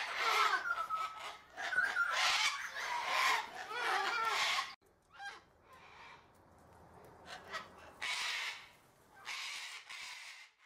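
Sulphur-crested cockatoo giving harsh, raspy screeches in loud bursts, with quieter gaps and some softer calls between.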